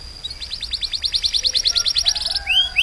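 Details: Canary song: a fast, high, even trill of repeated sliding notes, then a couple of rising whistled upsweeps, with a steady high tone and faint low rumble behind.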